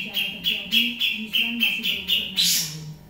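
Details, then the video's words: Grey-cheeked bulbul singing noisily: short sharp chirps repeated about three times a second, ending in a louder, harsher burst, with a man's voice talking in the background. "cucak jenggot berisik"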